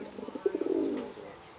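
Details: Short burst from Indian Fantail fancy pigeons in Alkmaar, Holland: a quick stuttering run of low pulses building into one rolling, throaty coo that fades out.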